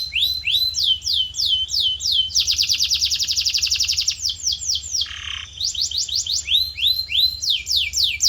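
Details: Canary training song to shape a bird's voice: repeated rising-falling slurred whistles, a dense fast trill in the middle, a brief lower buzzy note, then more slurred whistles in even series.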